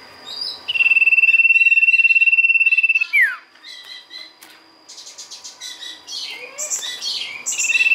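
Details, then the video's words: Sirtu singing keenly for use as a lure: a steady rapid trill of over two seconds ends in a falling sweep, then a run of varied high chirps and twitters, with a new trill starting at the end. "pancingan sirtu gacor"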